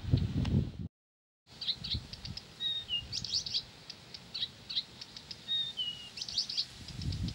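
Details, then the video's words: Blyth's reed warbler keeping up its song: a sequence of clicks, short falling whistles and buzzy trills after a brief silent break, with low rumbling noise at start and end. "САДОВАЯ КАМЫШЕВКА НЕ В СИЛАХ ПОМОЛЧАТЬ!"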